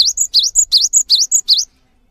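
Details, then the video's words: Gelatik batu, or cinereous tit, delivering long gacor song that sets other tits singing: six loud, closely repeated high phrases, each a level whistle and a bouncing downward-then-up slur, ending in silence. "GELATIK BATU GACOR | WUCIT PANJANGNYA BIKIN GELATIK LAIN JADI TERPANCING UNTUK IKUT BUNYI"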